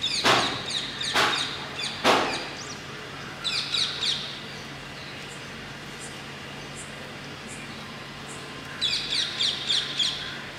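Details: Indian ringneck parakeets at Masab Tank in Hyderabad screeching: loud harsh squawks at the start, a burst of rapid shrill notes, then another fast run of screeches near the end, with constant low urban hum.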